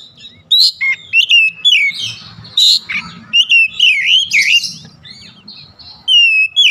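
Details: Oriental magpie-robin, kept bird, delivering a lively stream of looping whistles, harsh buzzy notes and rising slurs in close succession, with a faint low murmur behind.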